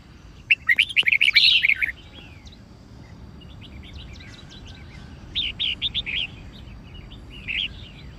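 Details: ['Red-whiskered bulbul of the white-cheeked form, kept to train birds to learn songs, giving fighting song: loud bursts of warbled, bubbly notes in a phrase near the start, another mid-clip and a short one near the end, over steady low hum.']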